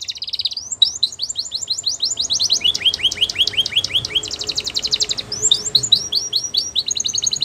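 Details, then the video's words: Training song of a canary for young birds: continuous high, rapid trills and repeated downslurred notes, shifting between rattling rolls and sweeping phrases, with light background noise underneath. "The Best Canary Sounds"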